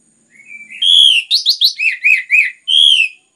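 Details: Loud, clear orange-headed thrush song used to stir other birds to sing: a soft rising lead-in, then a long strong whistle followed by quick jumpy slurred notes and a closing drawn whistle.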